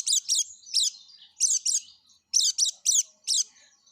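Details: Yellow-breasted white-eye uttering short, harsh high chips, singly and in pairs, with brief pauses between bursts.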